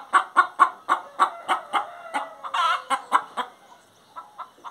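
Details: Hen clucking in a steady series of sharp, evenly spaced notes, about four per second, broken by one longer wavering note.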